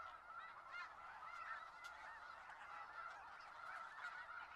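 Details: A thick, even murmur of snow goose honks from a large Skagit Valley flock, with only a few distinct calls poking above the continuous chorus.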